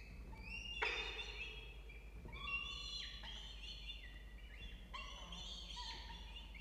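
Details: Peregrine falcon at a nest box in a water tower at Charles Sturt University, Orange, New South Wales, Australia, on 4 November 2024 in late afternoon; nestlings 29 and 30 days old, starting to self-feed. Harmonic, rising wailing calls in several drawn-out bursts.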